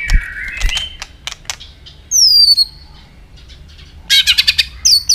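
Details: White-rumped shama song meant to excite and train other shamas: a few clicks and a warbled note, then a loud downward-sliding high whistle, and a rapid burst of sharp clicking notes with a brief high whistle at the end.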